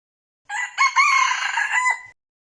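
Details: Crowing red junglefowl, a decoy bird for trapping, gives one full harsh crow about 1.6 seconds long: a clipped first syllable, a quick second, then a drawn-out buzzy note that dips sharply at the finish.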